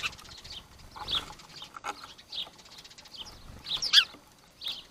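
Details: Sparrows squabbling to show each other who is boss: short, high chirps repeat irregularly, some sharper and louder near the end, with soft rustling in the background.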